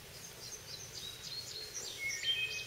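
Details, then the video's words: White-eyed Vireo singing in a holler on June 20, 2014: quick, snappy high notes and short slurred whistles in a brisk run, fairly faint against a steady outdoor hiss. "songs of the white-eyed vireo"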